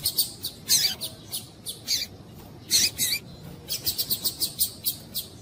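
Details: Female calling to warm up a coleiro tuí-tuí male kept by breeders for song contests; separated bursts of buzzy, high chirps followed by a rapid even series of short sharp notes, with quiet background between phrases.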